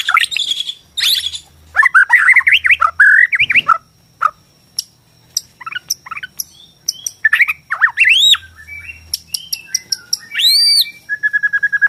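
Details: Bornean white-rumped shama song used to make shamas sing and fight: rich mix of warbled phrases, sharp upward whistles and clicking chips, ending in a rapid series of short notes over a low hum.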